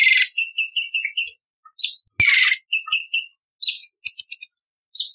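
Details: Cucak cungkok bulbul song used as training material for contest birds, in a sharp, harsh, varied 'isian tembakan' style: repeated bursts of rapid ticking notes with buzzy raspy blocks and short whistled phrases, separated by brief silences.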